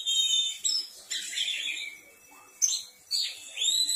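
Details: Oriental magpie-robin (kacer) calling to draw a reply from other magpie-robins: varied whistled phrases, some falling and some rising sharply, mixed with scratchy notes, in several bursts with brief pauses.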